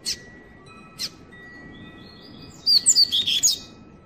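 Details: Captive-born Double-collared seedeater, a six-month-old youngster kept in a home environment and singing the Tui Tui style: two sharp chips, then a quick, fast-paced run of high, clear whistled notes lasting about a second.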